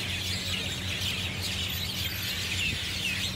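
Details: Flock of mynas, Javan or Jungle, chirping loudly at treetops on Marina Barrage rooftop, Singapore, Sunday afternoon; thick overlapping chatter of high squeaky notes from many birds, with a constant low hum.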